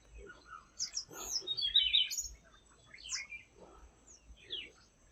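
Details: A Tickell's blue flycatcher flitting through the forest canopy in India gives quick, high, sweet twittering notes in irregular bursts, with brief rising and falling whistles.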